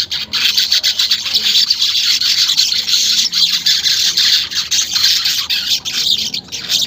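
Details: Continuous buzzy, sizzling weaver chatter, high and dense with almost no pauses, from an unedited recording meant to stimulate caged weavers to sing quickly.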